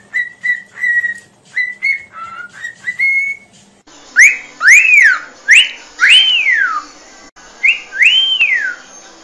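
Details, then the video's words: Singing cockatiel in a training recording: a run of short level whistled notes, then several loud arched whistles that rise and fall, like wolf whistles. "Aprenda Como Ensinar a Calopsita a Cantar"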